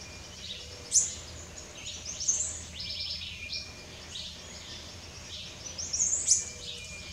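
Rufous-tailed hummingbird giving very high, thin, sharp chips and short twittery bursts every few seconds over a soft background hiss.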